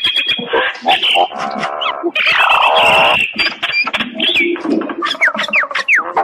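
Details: Common myna, called a talking bird, in continuous song: a busy mix of rasping churrs, a long buzzy wheeze, clicks and several quick rising and falling whistles toward the end.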